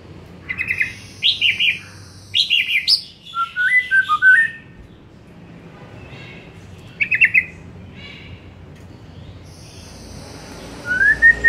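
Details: White-rumped shama afternoon lure song, aimed at making shamas sing more: short bursts of whistled and chattering phrases separated by long pauses, ending in a single rising whistle.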